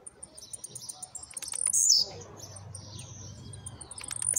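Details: Blue-black grassquit at home, just out of moult, showing its trincadeira and speed: bursts of high ticks lead into a loud, hissing upslurred buzz near two seconds and again at the end, over a low steady hum.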